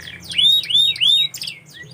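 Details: Canary singing a short phrase of three loud rising-then-level whistled sweeps, followed by softer descending chirps, over a faint low hum.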